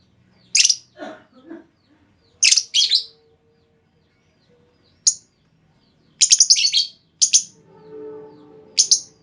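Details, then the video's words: Female lovebird lure call, meant to set other lovebirds trilling at length: scattered harsh, high chirps in pairs and clusters, with some lower raspy notes and a soft low hum near the end. "Pancingan Burung Lovebird Betina! Bakal Langsung Respon Lovebird Segala Kondisi Auto Ngekek Panjang"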